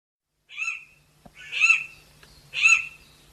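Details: Raspy, harsh squeaks from a Chestnut Forest Rail, a small rail of montane forest. Three rough notes about a second apart, with a faint click and a low background hiss between calls.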